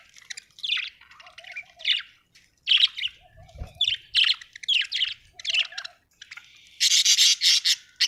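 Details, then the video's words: Happy budgerigar chirping, an Australian bird: dense run of scratchy squeaks and chattering notes in quick bursts, ending in a loud, harsh, rapidly repeated grating series, with a soft low warble underneath. "happy budgie chirping sound"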